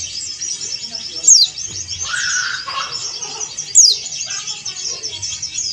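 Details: Two shrill notes dropping quickly in pitch, about two and a half seconds apart, come from a male yellow-breasted Dakun Bali Oriental white-eye calling a rival, with a lower whistled phrase and dense high twittering behind.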